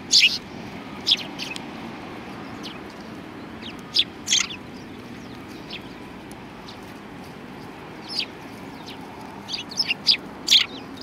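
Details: Sparrows at a Tenmangu shrine in Japan in February 2020 make sparse, clipped high chirps, isolated notes spread across a long quiet stretch with a few grouped near the end.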